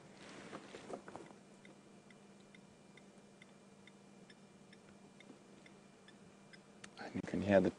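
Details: A blacksmith lapwing at sunset on a safari drive gives sharp, metallic tinks, about two or three a second, like a hammer on an anvil, with a low hum and a man's voice at the start and end.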